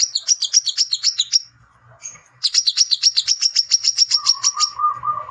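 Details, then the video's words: Male brown-throated sunbird chattering to challenge rivals, used as a lure: fast runs of sharp, high, ticking notes, about four a second, break off, then resume after a pause. A steady lower whistled tone sounds near the end. "NGECRET CARI LAWAN TARUNG !!! PANCINGAN KOLAP - SUARA BURUNG WICEH JANTAN _KOLIBRI KELAPA GACOR"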